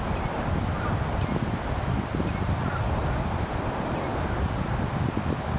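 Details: Killdeer on a trail gives four sharp, high, piercing beeping notes at uneven intervals about a second apart, over a steady low rumble of wind or traffic.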